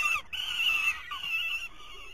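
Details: Young falcons in a nest in 2023, three fledglings competing each time prey arrives: drawn-out harsh whining screams in two long bursts, about one second each, split by a brief pause, a second thinner wail beneath.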